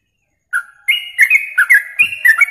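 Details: Masteran training song of a yellow-vented bulbul for songbird contests: after a short brief whistle and a pause, a bubbling chain of warbled, whistled notes stepping up and down flows continuously.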